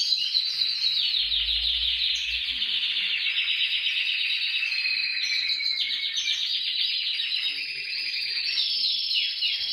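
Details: Canary singing nonstop in a recording meant to encourage canaries to sing: nearly ten seconds of dense, high, rapidly pulsed trills, with tour changes and bright whistled accents scattered through.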